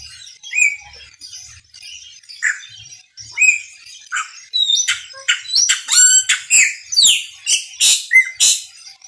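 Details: Maranhãozinho song of a chopi blackbird, a bird that sings a great deal: several clear upslurred whistles, then a fast run of loud, sharp, high clicking and rattling notes rising to a dense burst near the end.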